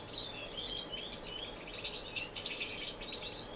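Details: Continuous busy chorus of high, buzzy finch chatter and twittering, several birds overlapping, in an indoor non-breeding community aviary in Edmonton, Canada, March 26, 2015.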